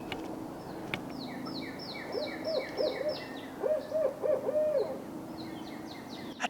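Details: A barred owl, one of two calling in a small city park by a creek in Oklahoma on Earth Day, gives about six rounded, mid-pitched hoots over three seconds while another bird repeats thin, high, slurred chirps.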